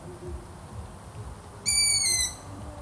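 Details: Long-eared owl: one high, strained, squeaky call sliding a little lower over roughly half a second, after a stretch of near silence with soft low hum.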